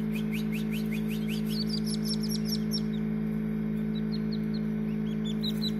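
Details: Newly hatched partridge chicks in a homemade incubator, hatching on 6 June 2019: rapid runs of thin, high, upward-sliding peeps, several overlapping at once, over a constant low mechanical hum from the incubator.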